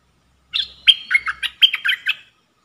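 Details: Red-whiskered bulbul kept as a caged decoy bird for trapping, recorded 1 September 2021, giving one clear phrase of about eight rich, slurred whistled notes that jump between higher and lower pitches, then silence.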